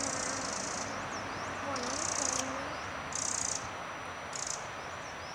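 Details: One of a pair of Eurasian wrens agitatedly gives harsh, dry rattling alarm churrs in short bursts about every second at an uninterested cat, Pearson Park Wildlife Garden, 12 March 2012; faint low murmuring behind.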